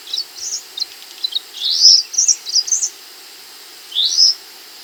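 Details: Scarlet minivet (sepah hutan) in full, active voice for songbird training: scattered high, sharp chirps, then a cluster of brighter slurred whistles, a pause, and one final rising note.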